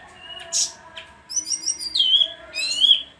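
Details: Bayeman singing nonstop, sharp chips followed by rapid buzzy trills and clear descending whistles, with a soft background drone.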